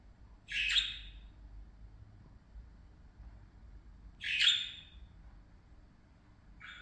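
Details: Playing parakeets produce short, harsh, scratchy chirps, two clear calls about four seconds apart and a third starting at the end, with quiet low hum between them.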